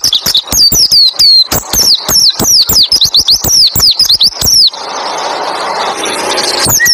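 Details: Rapid 'roll tembak ngalas' white-eye song used to prompt other white-eyes to sing: high, slurred whistles tumbling over dense clicking ticks for over four seconds, followed by a steady rushing hiss.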